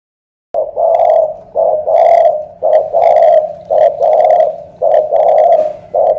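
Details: Spotted dove from Ca Mau, Vietnam, a loud-voiced 'thổ cọp' type: deep, hollow coos repeated in quick two- and three-note phrases about a second apart, each with a short first note and a longer drawn second note. Faint music in the background.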